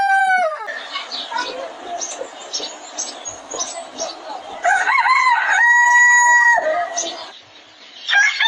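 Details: At a chicken farm, a short crow tail opens the clip, followed by a noisy stretch of clucking and chatter. A clear rooster crow then rises and holds a flat, ringing note for about two seconds.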